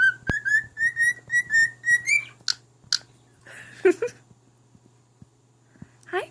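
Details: Male pet talking cockatiel singing to his unimpressed mate: a run of about nine quick, clear rising whistled notes over two seconds, then a few harsh chirps and squawks against a steady indoor hum.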